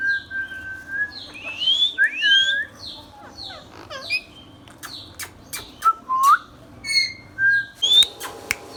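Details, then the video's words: Ringneck parrot kept as a talking pet bird, mixing flat whistles, curving sweeps and squeaky chirps in a varied run, followed by a string of sharp clicks and a few last rising whistles. "Ringneck Parrot natural sounds"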